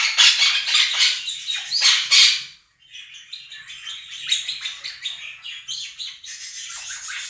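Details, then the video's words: Two captive monk parakeets out-shout a budgie flock recording, opening with two seconds of piercing, rasping screeches, falling silent briefly, then continuing with fast repeated squawks at about four per second. "Quaker parrots scream over flock of budgies"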